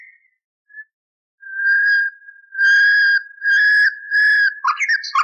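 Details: Song of a common nightingale, restored from a decades-old tape for canary training: a faint opening note, then several long, loud, pure whistles held for about half a second each, ending in a jumbled, chattering burst.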